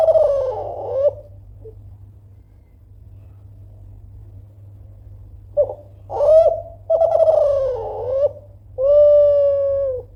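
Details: Spotted dove of the Kelantan type calling loudly to draw rival replies: a burry coo ending, a long quiet gap, then a short note, a rising coo, a rolling wavering coo and a drawn-out steady coo.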